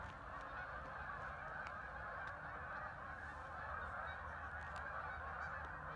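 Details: Thousands of ducks flying in to the water at Hockanum River Linear Park in Vernon, Connecticut; a constant chattering mass of calls, somewhat distant, with low rumble underneath.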